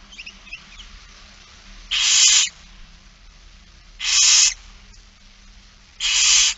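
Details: Barn owl begging, recorded during a feeding on 8 September 2019 at 16:02: three loud, steady snoring hisses, evenly spaced about two seconds apart, over a quiet background.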